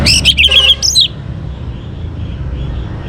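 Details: Actively singing young orange-headed thrush, meant to encourage other birds to sing: a dense one-second burst of chattering, whistled phrases with rich overtones, followed by low background hum.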